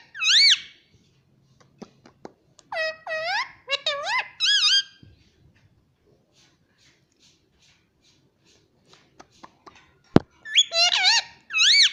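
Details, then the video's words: Caged pet rose-ringed parakeet indoors, repeating the word "mummy" in shrill, squeaky, rising-and-falling two-note phrases in bursts, with quiet pauses and faint clicks between. "Parrot Talking Mummy Mummy | Bolne Wala Tota"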